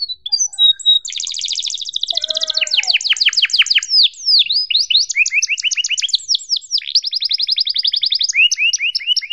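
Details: Canary singing on a recording used to teach juvenile canaries: dense rolling trills, repeated falling-note tours at a rapid pace, occasional sweeping whistles, varied phrase after phrase without pause.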